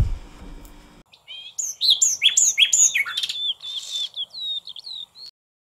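A European robin sings a rapid, liquid run of high, thin whistles and trills that dip and rise, after a second of low humming noise.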